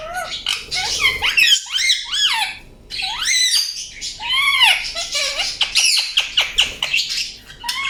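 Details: Indian ringneck parakeet chirping: rapid series of high, harsh squawks and whistled chirps, with arching and falling notes, near-continuous with brief pauses, indoors.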